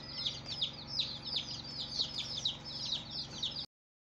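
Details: Baby chicks on their first day, rapid high-pitched falling peeps from several birds overlapping for about three and a half seconds, then the sound cuts to silence.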